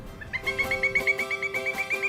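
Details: In the morning at Palm Coast, northeast Florida, a pileated woodpecker calls, giving a fast, ringing series of about a dozen high, piping notes, roughly six or seven a second, over a faint low hum.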